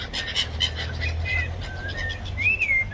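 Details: Several gulls fighting over food give overlapping high, squealing cries, one rising then falling near the end, over a low steady rumble of wind.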